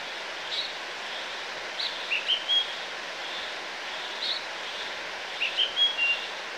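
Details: A house sparrow at a gutter in the backwash at Estepona, Málaga, Andalucía, Spain, in August 2018, gives short, bright chirps in loose groups of two or three, roughly every two seconds, over a steady background hiss.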